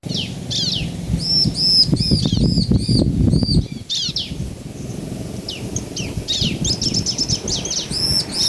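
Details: Bar-winged prinia male and female answering each other, played to stir other prinias into singing; bursts of short, arched high chirps repeated rapidly in clusters, with a low rumbling, fluttering noise through the middle.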